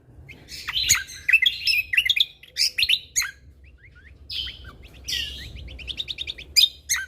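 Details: Lesser green leafbird in full, lively song for tutoring birds: dense, varied chattering phrases of rapid high chips, buzzy notes and slurred whistles, with brief pauses between bursts.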